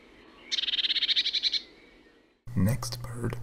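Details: A Eurasian blue tit (Cyanistes caeruleus) gives its snickering call, a quick, high churr of about a dozen rapid chirps over one second, followed by a man speaking.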